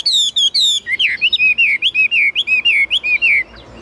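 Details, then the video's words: Kept Chinese hwamei singing: a few high ringing whistles open into a rapid string of about fifteen downward-slurred whistled notes, loud and evenly paced, with little else heard. "Họa mi dáng ngũ trường, bóng bộ cực đẹp, hót cao cầu"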